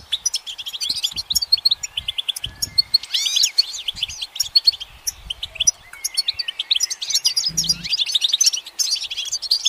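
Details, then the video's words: Goldfinch perched on a branch singing rapid, jangling twitters and trills with bubbling sliding whistles near three and seven seconds, plus a brief low hum at about seven and a half seconds. "The goldfinch's motivational song"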